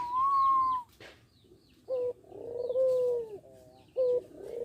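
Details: Young Barbary dove still learning its coo: a bright sustained note, then short clipped notes alternating with long, low, gently arching coos, close and clear.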